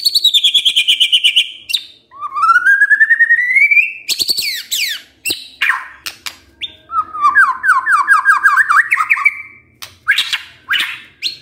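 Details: White-rumped shama lure song to get a lazy male singing: a buzzing high trill, a long rising whistled slur, harsh chattering bursts, then a quick series of looping whistles with sharp clicks.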